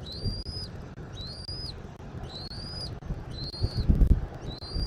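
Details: Bald eagle calling from its nest in Southwest Florida, 13 January 2024 at 14:17: a steady series of five high, thin whistled notes, each gently rising, about one per second, with moderate wind noise and a gust near the end.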